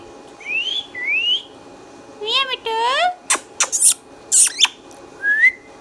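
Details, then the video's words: Green Indian ringneck parakeet kept as a pet bird indoors, talking: rising whistled slurs, then a run of harmonic, voice-like syllables, sharp clicks and bursts, and a final upward whistle. "Green Ringneck Talking Parrot"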